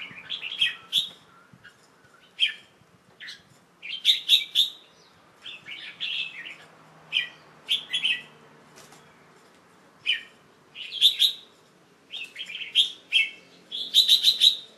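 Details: Young pet red-whiskered bulbul singing on 1 January 2012 in the late afternoon, after a bath and while covered to rest for the day. It gives short bright warbled phrases in bursts about a second apart, with quiet pauses between them.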